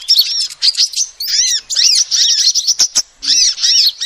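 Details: Calls of a female sunbird, used as a lure to attract birds: rapid high-pitched chirps and repeated arched notes in clustered bursts, a short pause before the final burst, plus a couple of sharp ticks.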